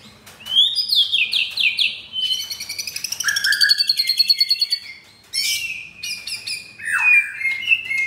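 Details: Pied F4 white-rumped shama, caged in Kemayoran, Jakarta, performing coarse-material song: sliding whistles, a buzzy rattling trill lasting over two seconds, then loud sharp high whistles and a falling note.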